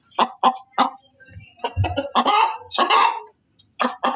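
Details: Female chicken calling loudly: a few sharp separate clucks, then rough, overlapping cackles building into long harsh squawks, followed by a short pause and more clucks, with faint low thuds underneath.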